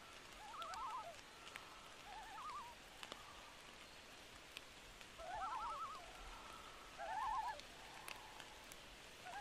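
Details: Loon tremolo calls in rain at night: wavering, laughing trills come in four separate bursts spaced a couple of seconds apart, with raindrops and constant rain hiss behind.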